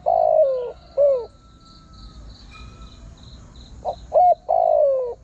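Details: Spotted dove decoy call for wild birds: a long falling croon and short coo close one phrase; after a quiet gap, two quick coos and another drawn-out descending croon follow. Insects drone softly.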